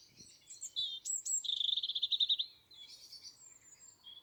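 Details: European robin singing in Dartington among other local birds. High, thin notes lead into a fast, even trill of about a dozen pulses, then scattered twittering.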